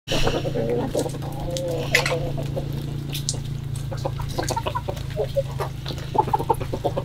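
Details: Chickens on a February 2022 morning, clucking in short, low, repeated notes with a few drawn-out harmonic cackles near the start, over a steady low mechanical hum and scattered clicks.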